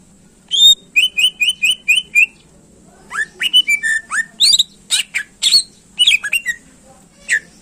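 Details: Greater green leafbird in full song, used to excite contest birds: a run of six quick repeated sharp whistled notes, then a varied burst of loud chirps, slurred whistles and harsh rasping notes.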